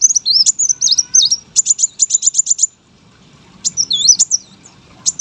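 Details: Competition-bird brown-throated sunbird giving a gacor masteran song: rapid thin squeaky whistles and tight ticking notes, a short pause, then more twisting high phrases.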